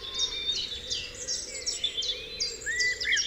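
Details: Birds singing together at dawn on Dewlands Common, many high chirps and short trilled phrases interleaving rapidly, plus a rising whistle near the end, over faint background hum.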